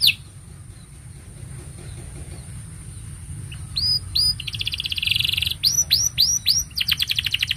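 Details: Canary song meant for training juvenile canaries: near silence for three seconds, then hooked whistled notes, a dense buzzy trill and rapid repeated chips growing louder toward the end, with a steady high electronic whine throughout.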